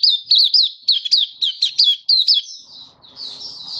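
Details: Malaysian white-eye (mata puteh) singing happily in 'buka' style, Singapore, 20 March 2023, in stable warm sunny weather. Quick bursts of bright, high chirps in a bouncy rhythm, then a softer, smoother trill.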